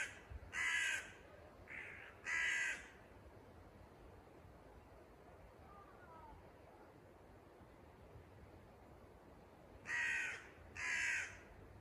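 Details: Crow parents agitated after their chick fell out of the nest by a house doorstep, flying around and croaking: two pairs of harsh caws, about a second apart, separated by a long quiet gap.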